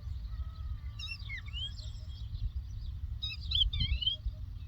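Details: Lark song recorded in the Doukkala countryside: two short clusters of tumbling, slurred whistles, a long thin note before them, over continuous low rumble.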